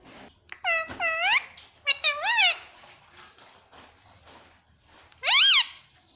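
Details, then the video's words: Pet talking parrot indoors uttering two quick clusters of curved, harmonic, word-like calls, a quiet pause with soft rustling, then one loud rising-and-falling squawk. "बोलने वाला प्यारा मिट्ठू - (・ᴥ・ ) - talking parrot"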